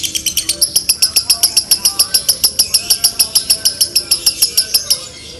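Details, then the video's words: Long dobelan konslet trill from a lovebird: evenly spaced, shrill, ringing notes repeated rapidly for five seconds, then trailing off into quiet. "Dobelan love bird konslet"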